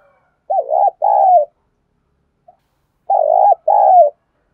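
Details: Spotted dove kept as a decoy to excite and train new birds. It repeats a two-part phrase twice, each a deep, bubbling coo followed by a longer, falling coo, with a pause between phrases.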